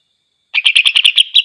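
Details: Greater green leafbird singing to provoke other leafbirds: a short, loud burst of about nine quick chattering notes, evenly spaced, ending in a brief trailing whistle against a silent background.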